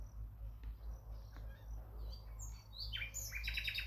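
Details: Nightingale song: faint scattered high notes at first, building near the end into a bright run of sharp, descending whistled phrases and rapid repeated clicks over a steady low background hum.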